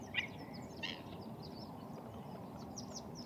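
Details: Black-winged stilt gives two short, sharp, yapping notes in the first second, over a steady rushing background noise with faint high chirps.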